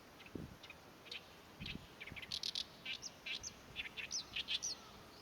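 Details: Oriental reed warbler singing on 23 April 2024 while busily advertising its territory: a rapid run of harsh, grating chattering syllables, rising in pace and loudness over about five seconds, with a few low thumps early on.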